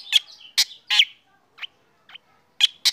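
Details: Morning song of a black drongo being sunned, said to get other birds singing; loud harsh rasping notes with a few softer short chips between them.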